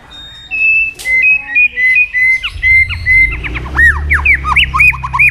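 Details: Lively white-rumped shama song meant to draw silent birds into singing: a run of clear mid-pitched whistled notes, then quick looping slurred phrases that rise and fall in rapid succession.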